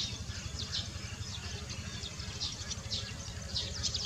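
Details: Barn swallows (Hirundo rustica) at Baisha, 14 March 2018, give short, high chirps and twitters scattered through the clip, over a steady low rumble of background noise.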